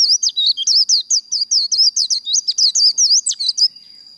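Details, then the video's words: White-eye giving a contest-style 'líu' trill used to fire up birds for singing matches: a rapid run of about twenty high, sharply modulated whistled notes over three and a half seconds, with a faint steady high tone behind. "Vành khuyên líu đấu"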